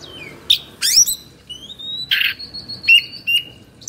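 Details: Excited Oriental magpie-robin, Indonesia, tail spread. Short sequence of a descending whistle, harsh scratchy bursts, and a long level whistled note followed by two brief sharp calls.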